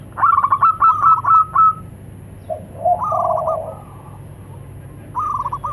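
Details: Local zebra doves, male and female, calling in reply to each other. A long string of rolling coos, then lower overlapping purrs from a second bird, and a fresh trilled phrase starting at the end.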